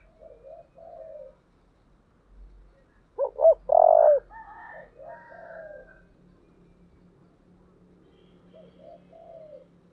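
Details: Spotted dove with the deep 'giọng thổ' voice, giving soft coos, then a loud phrase of two short rising notes and a long coo, followed by softer wavering notes and a quiet tail, with a faint hum behind.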